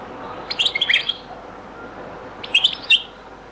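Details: European goldfinch in the zaboka style of Beni Messous 'les avocats', from a very old recording: two brief clusters of quick, bright, tinkling notes separated by nearly two seconds of quiet hiss.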